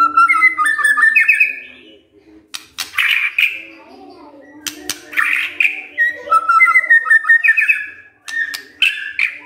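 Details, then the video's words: White-rumped shama singing vigorously, responding right away: loud whistled phrases sliding between low and high notes, broken by sharp clicks and pauses, over a steady low hum. "sekali coba langsung nyaut dan gacor luar biasa✅ MURAI BATU GACOR✅✅"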